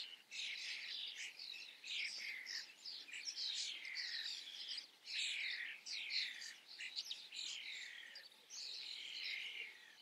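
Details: Several common starlings in front of a camera chatter continuously, packing buzzy, scratchy phrases and squeaky downslurred notes into a steady stream with hardly a pause.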